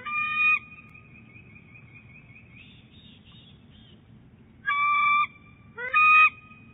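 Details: Bald eagle, a female at Big Bear Lake, calling at the nest during egg rolling in January 2018. A long, level chittering trill runs for seconds, followed by two loud, strong, clear harmonic piping bursts after a pause.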